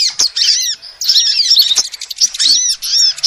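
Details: Female sunbird calling, a sound used to lure birds for trapping: busy high twittering of quick arched and rising notes in short bursts, with one brief gap and scattered sharp clicks.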